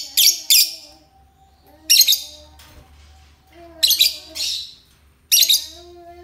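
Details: Loud, piercing chirps from a euwing lovebird, often in close pairs, separated by pauses with soft, low, steady tonal hum in the background.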